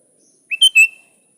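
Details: Sooty-headed bulbul (kutilang) calling out to a rival, as a lure call: one brief, clear phrase of a rising lead-in note and two strong chirped notes, then silence.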